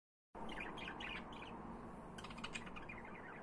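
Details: Budgerigars chirping: soft warbled chatter of short tweets in the first second, then brighter clustered chirps later, over a steady low background hum.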